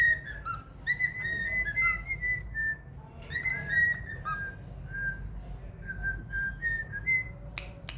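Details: Trained pet cockatiel whistling its learned song "Another One Bites the Dust": a run of clear notes stepping up and down, then softer spaced whistles later, with steady low background hum.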